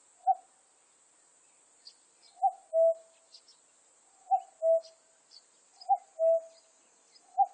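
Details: Common cuckoo, 2020. Falling cu-coo calls come about every one and a half seconds, a short bright note then a longer lower tone, with some single notes between. A high insect hum and small bird chirps sound throughout.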